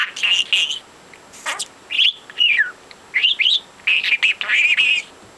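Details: Pet budgie, four months old, talking and chirping: short whistled slurs and warbling phrases, some rising and some falling, separated by brief gaps, high-pitched and clear.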